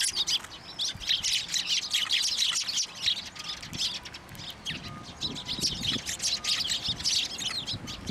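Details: Sparrows swarming a hand for food at a Tenmangu shrine on 18 March 2024, others nearby; a steady chorus of bright, overlapping chirps throughout, with faint low background rumble.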